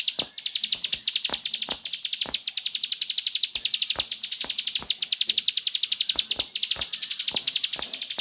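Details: Steady, intense 'nembak' song of a bar-winged prinia, a long unbroken rattle of rapid high notes for over eight seconds, accompanied by frequent sharp ticks.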